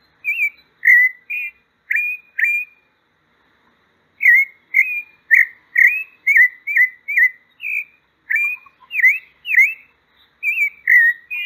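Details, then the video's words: Pale-breasted thrush, called sabiá-poca, singing bursts of short whistled notes with sharp up- and down-slurs. After an opening group comes a silent pause of about a second, then a long, fast series. No other sounds are heard. "O Canto da Sabiá Branca. Sabiá Poca cantando."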